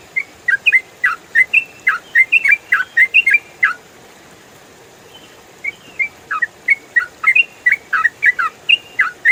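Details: Trucukan (yellow-vented bulbul) ropel song used to train songbirds: two fast bursts of chattering whistled notes, each lasting several seconds, separated by a brief quiet spell.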